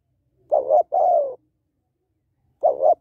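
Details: Calling female spotted dove stimulating males: one full phrase of two clipped notes and a longer sliding coo, then a pause and the opening notes of the next phrase.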